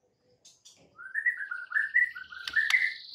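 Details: White-rumped shama song used to provoke rival birds: a flowing run of warbled whistles wavering up and down, with two sharp clicks near the end.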